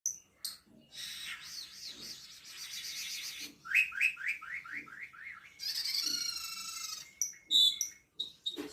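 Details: Black-winged myna singing energetically on 10 March 2025: a varied run of bright whistles and scratchy chatter, then a fast series of about eight rising whistled notes, followed by a long buzzy, warbling phrase and sharp chips.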